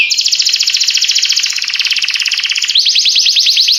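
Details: Canary singing a long, dense, rapid trill of high notes for nearly three seconds, followed by a quicker series of repeated sweeping whistles.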